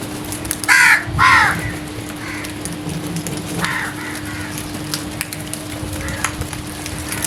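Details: Crows in the early morning: two loud harsh caws close together near the start, then fainter caws further off, over steady background hum and low rumble.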